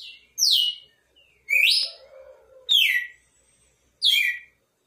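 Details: Red-cowled cardinal giving four loud whistled phrases about a second apart, steeply descending or rising-then-falling, with a soft lower hum beneath the second phrase.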